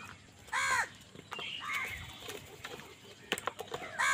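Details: Crows fighting for food: a loud harsh caw near the start, then fainter scattered caws and clicks, with another loud harsh caw at the end.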